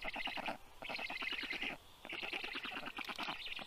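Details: Black stork chicks rescued to a university clinic in Tartu, Estonia, beg during a feeding in June 2022; two rattling bursts of rapid, scratchy pulses separated by a brief quieter lull.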